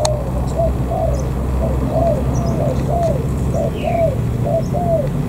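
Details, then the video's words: A wild-caught spotted dove at a border gate in An Giang, Vietnam, coos in soft, hollow notes about two each second, over a steady low rumble of wind or distant engine. "Cu gáy bổi"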